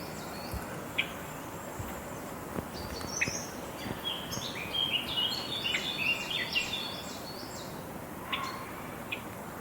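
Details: Java sparrows calling with a run of short, high, bell-like chirps that crowds together mid-clip, then a few scattered notes, against constant noise and occasional soft knocks.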